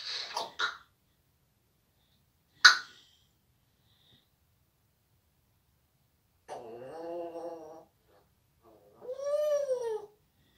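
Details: Male pet African grey parrot talking and using rude words indoors: quick clicks and a sharp burst, a pause, then a wavering voiced phrase and a rising-then-falling harmonic call, with quiet gaps between.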